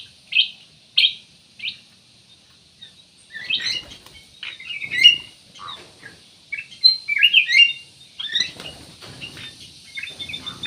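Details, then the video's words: Kutilang emas songbird singing steadily, used as a lure to prompt other birds to sing: three short bright chirps open, then a run of scratchy, twittering high notes and quick warbled phrases, with faint rustling between them. "CUCAK EMAS \ KUTILANG EMAS GACOR, BUAT PANCINGAN 100% AMPUH"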